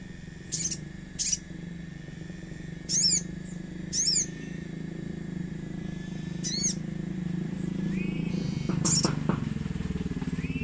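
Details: Common iora lure song mixed with nature sounds, meant to prompt ioras to sing: sharp high chevron-shaped notes in pairs and bursts, then a cluster of rapid notes and two lower rising whistles, over a steady hum and low background rumble.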